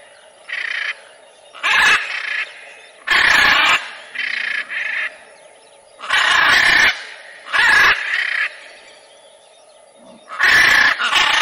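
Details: Harsh, scratchy macaw calls repeated irregularly, some short and clipped, others drawn-out screeches, separated by brief quiet spells.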